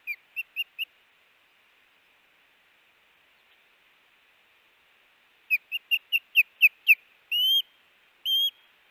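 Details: Osprey at the Hellgate nest on the morning a chick fledged, 7am MDT, August 5, 2018: a quick run of four high whistled chirps, a pause, then a faster accelerating series ending in two longer upslurred whistles.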